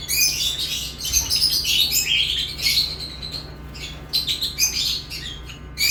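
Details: Busy lovebird chirping, a nearly unbroken stream of high, raspy twittering notes with some brief breaks near the end, steady low hum behind.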